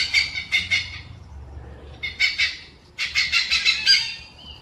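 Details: Hornbill calling: harsh, raspy cackling bursts in quick pulsed series, a short run, a pause, then a longer louder run of rough grating notes.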